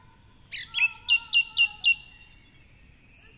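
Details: Dawn chorus in Cork City with a male song thrush on his favourite treetop perch near the Curragheen River; a rising note, then one clear chirp repeated five times, followed by high thin whistles.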